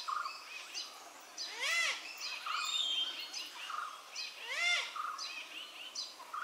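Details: Malabar grey hornbill (Ocyceros griseus) giving two loud, nasal, rising-then-falling calls about three seconds apart, with chirps and short whistles from other small birds around.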